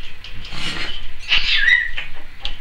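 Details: Female pet Timneh African grey parrot, recorded in 2012, produces harsh, noisy screeching bursts with a brief whistled tone in the middle, repeated across nearly three seconds.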